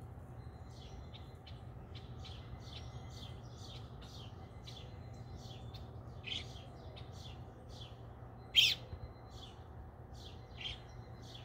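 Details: Baby red robin calling for its mother: a steady series of short, thin, high chirps, about one or two each second, with one louder sharp note near the end, over a constant low background hum.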